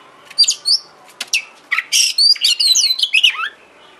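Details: Oriental magpie-robin lure song, used to make a kacer sing and spread its tail: a short, dense burst of buzzy chirps, harsh rasping notes and swooping whistles.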